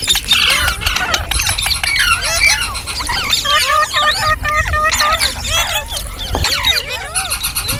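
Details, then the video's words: Green parrot, likely rose-ringed parakeet, chirping steadily: busy squeaky, twisting whistles and scratchy chatter packed closely together for several seconds, over a low background rumble. "Green Parrot Chirping Sounds /Voice | Mitthu Ki Awaaz"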